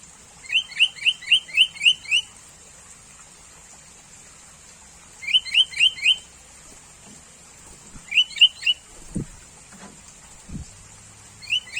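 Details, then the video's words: Sooty-headed bulbul, common around people, calling in bursts of four to seven rapid rising chirps separated by pauses, with a couple of low thumps and a constant high-pitched drone. "SUARA BURUNG KUTILANG - BURUNG CANGKURILENG"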